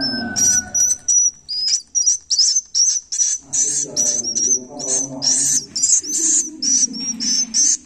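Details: Swiftlet nestlings calling: a rapid train of high, shrill, wheezy chirps, about two to three per second, with a low hum underneath.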